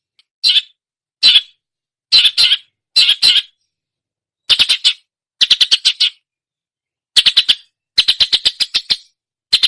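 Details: Long-tailed shrike song imitating other songbirds: harsh, high chattering bursts in clusters of two to eight rapid notes, separated by short silences, growing longer toward the end.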